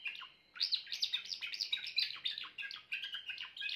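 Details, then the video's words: Grey Timbrado canary singing: a dense run of rapid, rolling trilled notes, each sweeping down quickly, pouring out almost continuously after a brief quiet start. "meilleur chant canari timbrado l chant d'un canari timbrado gris"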